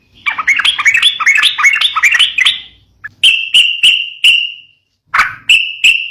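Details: Sooty-headed bulbul used to stir up young birds. A tumbling run of chattering, rising and falling notes is followed by several clear, steady whistled notes with sharp clicks and short gaps between them.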